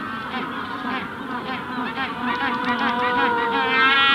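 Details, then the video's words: Magellanic penguin adults calling at close range during the hatching stage: pulsed, nasal braying notes repeat roughly twice a second, then build into a long, loud harmonic wail, with the distant colony chorus behind. "Magellanic Penguin / Calls CU From Adults At Hatching Stage, General Colony In Distance. Punta Tomb"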